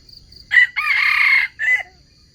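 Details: Wild red junglefowl crow played as bait for trapping wild chickens, one clear crow in three parts: a sharp first syllable, a drawn-out raspy middle and a short clipped finish, with insects buzzing steadily behind.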